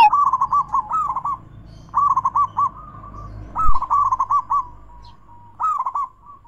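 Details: Zebra dove cooing used to stimulate stalled doves, in big-voiced, bekur and crystal variations: four bouncy rolling coo phrases spaced by pauses over a steady low background hum.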